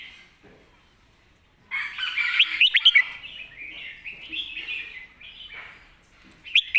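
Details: Red-whiskered bulbul in master-song style with golden phrasing: after a quiet start, a sudden burst of quick, clear whistled notes, then softer warbling and a final sharp whistle, set against busy bird chatter.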